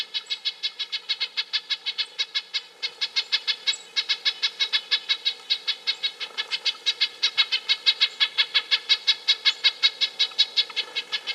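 Red-breasted nuthatch giving a steady run of nasal, tinny 'yank' notes, about three every second, with no other notable sounds.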